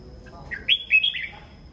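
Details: Red-whiskered bulbul morning song: a soft lead-in note, then a loud, bright, warbling whistled phrase of several linked notes that rise, dip and fall, over a faint steady high hum.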